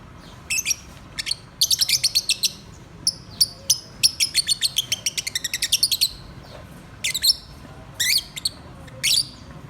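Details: Pet lovebirds singing at home: bursts of high, rapid chirps and sharp ticking notes in quick trains, some runs of a dozen evenly spaced clicks, separated by short pauses over a faint low hum.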